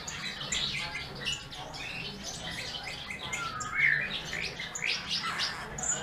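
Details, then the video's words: A Eurasian bullfinch sings a busy run of short, high chirps and twitters, with a few sliding whistled notes, over a faint low background hum. "Bullfinch singing"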